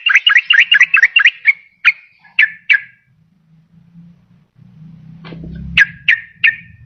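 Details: Yellow-vented bulbul lure recording, aimed at trapping wild birds or rousing a quiet caged one: quick whistled notes slowing to spaced single calls, a low humming background, then three more sharp notes.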